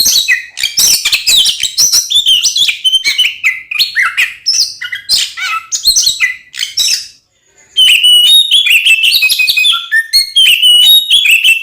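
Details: Oriental magpie-robin, provocative fighting song to make rival birds angry; harsh squawky chatter and jumbled high notes, a brief pause, then a run of clearer whistled slides.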